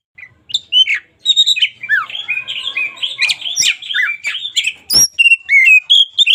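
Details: Local Oriental magpie-robin in continuous vigorous song, used as a daily tutor recording: a dense stream of warbling whistles and chattering notes with occasional sharp clicks, nearly without pause.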